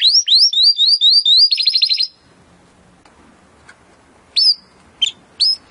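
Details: Timbrado canary song in training audio: a series of high rising swooping notes and a fast rattling burst, then near silence with faint background hiss and three short high chirps.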